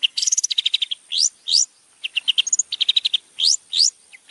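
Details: Long-tailed shrike training song in a champion style: fast clusters of high chirps alternating with steep upslurred whistles, pauses between bursts, and a short clear note in the middle.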